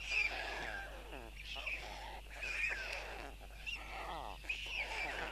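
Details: White storks at a nest in Tukums, Latvia, on June 13, 2022, as the father feeds four chicks, give wheezy, whinny-like calls with wavering pitch, in bursts every second or two, over a steady low background hum.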